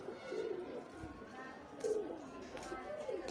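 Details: A pair of domestic pigeons giving soft, low cooing notes, three faint rolling coos spaced over about three seconds, with quiet background hiss and a few clicks.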